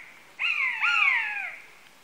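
A buzzard gives two drawn-out, mewing cries in quick succession, each sliding downward from a high, thin start; the background is quiet.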